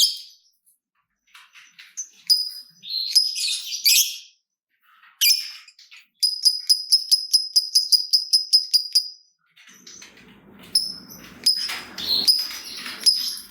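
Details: ['Lovebird in the gacor ngekek style: bursts of high chirps, a steady train of about fifteen rapid ticking notes in the middle, then more chirping over low background noise.']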